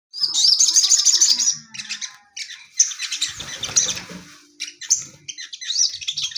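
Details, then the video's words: Caged male orange-headed thrush shown a female to prompt singing; a rapid, shrill high warble with trilled notes opens, then breaks into scratchy, chattering bursts with brief pauses. "Burung sogon jantan di untul pakai betina biar tambah gacor mental stabil"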